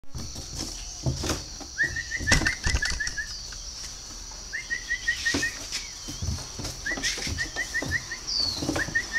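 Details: A pair of young spotted doves, hatched in an incubator and hand-fed from small, very tame: bursts of short, clipped chirps repeated in quick runs of five to seven notes, with clicking and rustling around them.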